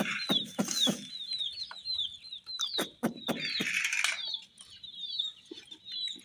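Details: Colourful baby chicks beside toy baby dolls, chirping in a busy chorus of high downward peeps, broken by a few loud taps and a patch of rustling.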